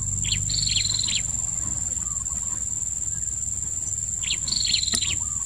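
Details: Blue-crowned hanging parrot at a bird-luring session: two bursts of sharp, thin, high chirps in quick trilled runs, one near the start and one near the end, over a loud, steady, high insect drone.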